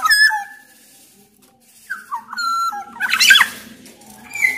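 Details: Black-naped oriole from Sumbawa, loud song aimed at prompting other orioles: short fluted whistles and level held notes, then a harsh, scratchy burst and a final high whistle.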